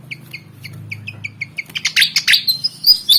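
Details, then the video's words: Black-and-white pied fantail (kipasan Jawa), roughly 19 cm, stubbornly wanting to fight. Evenly spaced thin chirps repeat about four times a second, then swell into louder, harsher rapid squeaks and twittering, with a low hum behind. "Burung Kipasan Jawa Ngotot Liat Pengen Tarung"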